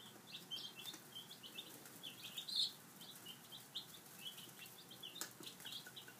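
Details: Young chicks, five days old, peep busily while having breakfast; bright, clipped chirps come in scattered clusters, with occasional soft flutters and one louder peep standing out midway.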